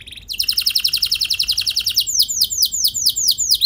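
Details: Canary singing as a lure recording meant to set other canaries singing: a fast rattling trill of high notes, then slower repeated downward-swooping whistles about four per second.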